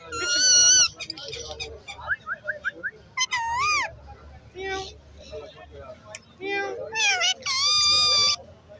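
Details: A talking green rose-ringed parakeet in Lalukhet market talks in short, speech-like bursts broken by harsh, wavering squawks and a quick run of rising notes, over faint market bustle.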